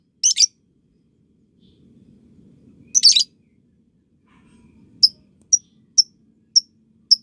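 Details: Lovebird on a training recording for young birds learning ngekek. Two short buzzy chirp clusters come a few seconds apart, then five clean high pips, one about every half second. A soft low rumble sounds between them.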